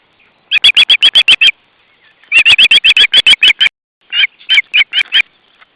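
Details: Osprey family at the nest in June 2012: three bursts of short, sharp whistled chirps repeated rapidly, about eight notes per burst with brief pauses between; no other sounds heard.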